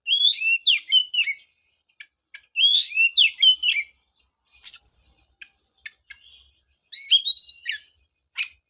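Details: Oriental magpie-robin lure song to bring a post-moult bird back to singing: three bursts of fast, bright whistled slurs, separated by pauses with a few isolated sharp notes.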